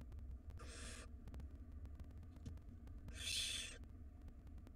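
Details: Begging barn owl chicks, wild, in a nest box as their mother brings rodents: two rasping, wide-band hisses about two seconds apart, the second louder, with a constant low rumble behind.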